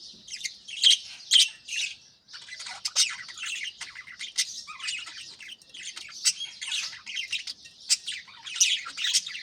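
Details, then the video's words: Aviary budgerigars at the start of the morning, continuous dense chatter of many birds, scratchy warbles punctuated by sharp squawky chirps about twice a second, with a brief lull near two seconds. "بجریز کی خوبصورت صبح 🦜Beautiful Morning Vibes & Chirping Sounds"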